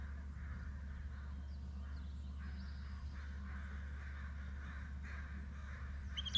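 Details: Adult bald eagles calling to each other: a run of harsh, squealing notes repeated about every second, with thin higher overtones, over a constant low rumble of wind and hum.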